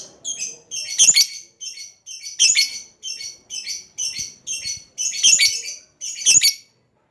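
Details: Lovebird chattering to call a rival. Rasping, shrill squawk bursts repeat in a regular pattern about every half second, some louder and harsher than others, across the whole stretch.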